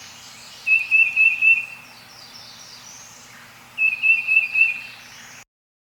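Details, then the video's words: Tufted Titmouse with the Peter, Peter, Peter song, pitched lower than the Black-crested Titmouse: two fast phrases of about five clear whistled notes each, three seconds apart, over a soft low background hum. "Let's listen to two recordings of the titmouse Peter, Peter, Peter song. First, the tufted titmouse. Listen."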